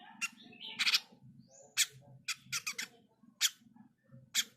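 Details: A mini jenggot bird gives sharp, high, scratchy chips in quick irregular bursts, with one brief whistled note, over a steady low hum.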